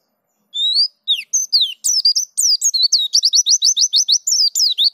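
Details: Pleci Dakun white-eye singing in the rolling ngerol style and showing off its varied filler phrases: high thin whistled notes sliding up and down, then a fast run of repeated rising chirps, in near silence.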